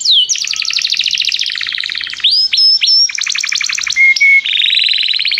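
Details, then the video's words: Canary in song training calling another canary to sing: varied rapid trills at changing pitches interspersed with short pure whistled notes and sharp chirps, continuous and loud. "Canário chama o amigo para cantar - treinando canto de canário"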